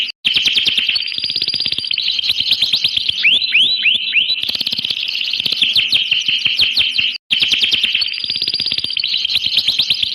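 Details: Canary song: dense, fast trills and rolling repeated notes, loud and nearly unbroken, with a few quick rising slurred whistles midway and a brief pause near the end.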